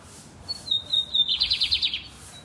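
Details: Lined seedeater singing loudly: clear high whistled notes lead into a fast, buzzy rattling trill of about nine pulses, then a short final whistle, in a quiet setting.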